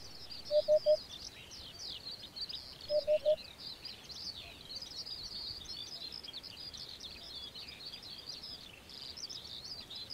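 A Eurasian hoopoe gives two soft, low triple hoots, 'oop-oop-oop', about two seconds apart, over a busy chorus of high twittering small birds.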